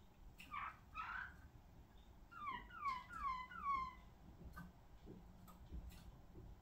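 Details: Malinois Waterslager canary in song: two soft rising notes, then a repeated set of falling slurred whistles, quiet against a noisy background hum.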